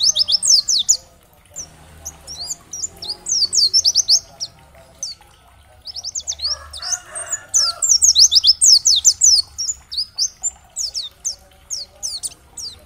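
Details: Oriental white-eye song intended to spur other white-eyes into singing: bursts of very high, rapid chirps and slurred whistles broken by brief pauses, with a faint rustling midway and sustained fast twittering toward the end.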